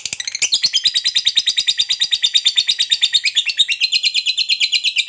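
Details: Fighter lovebird's long ngekek trill, used to provoke other lovebirds: a rapid, buzzy, high chattering series of pulses, about three per second, running steadily through the whole stretch.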